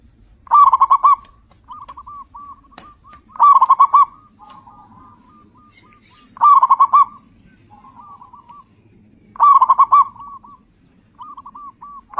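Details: Zebra dove of local stock, loud and persistent, used as a lure to set other doves singing. Each phrase is a quick run of five or six staccato coos, repeated every three seconds, with softer cooing doves answering in between.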